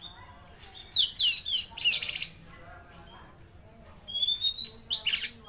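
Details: Mangrove blue flycatcher in full song: quick clusters of high, slurred whistles and rapid trills lasting over a second, a short gap, then another lively bright phrase.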